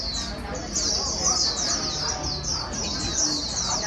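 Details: Wild-caught white-eye urged to sing fast: a brief burst of rapid, high, sibilant twittering, steady and unbroken, over a low background murmur.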